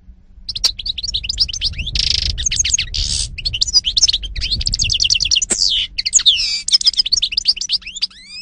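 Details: European goldfinch, 2018: a continuous, rich song of rapid tinkling twitters, sweeping whistled notes and several buzzy, wheezy rasps, barely pausing for eight seconds, with a faint low hum beneath.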